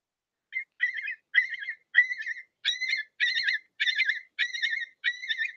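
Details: Long-billed curlew alarm call, used to warn intruders near its nest or chick and to rally other curlews to mob predators: loud, harsh, screaming notes, about two a second, each a ringing burst growing stronger through the series.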